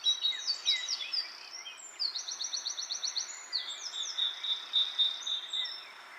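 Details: Wild bird chirping outdoors while wind blows through leaves: bright high chirps, quick rising and falling slurs and rapid trilled runs, about four notes a second, pausing briefly midway before a long high buzzy trill.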